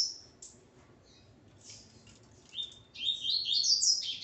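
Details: A double-collared seedeater male with his mate: a few scattered high notes, then a loud, dense stream of fast rising and falling chirps building into a twittering climax.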